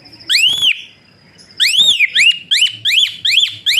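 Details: Asian pied starling whistling for training other birds, one long arched whistle, a pause, then a quickening string of short rising whistles nearly three per second.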